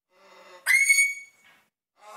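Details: Pet African grey parrot that mumbles like Dick Cheney gives a sudden, loud, pure whistle held steady for about half a second. Soft, muttered, speech-like sounds come just before and after it.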